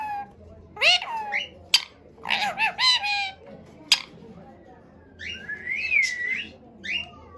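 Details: Ring-necked parakeet talking like a person, kept as a pet: scattered harmonic, speech-like squawky syllables with a rising whistled phrase near the end, over faint background music.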